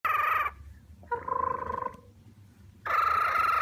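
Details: Cockatiel making what are described as happy sounds: two loud, harsh, buzzy calls at the start and end, with a softer, steadier nasal call in between. Brief quiet gaps separate them, with a faint low hum behind.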